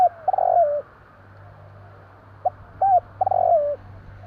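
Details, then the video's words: Spotted dove of Java heard at night: a drawn-out rolling coo, then a pause, then short clipped notes and another long falling coo. "burung tekukur bunyi malam hari"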